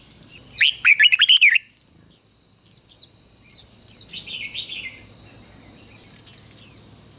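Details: Red-whiskered bulbul used as a decoy to lure wild birds, giving one quick phrase of ringing, jumbled whistles, followed by faint scattered high chirps from other birds over a constant high-pitched tone.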